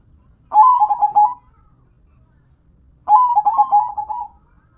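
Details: Perkutut, a local zebra dove, sings two cooing phrases of fast staccato notes rolling into a trill, separated by about two seconds of quiet with faint low background hum.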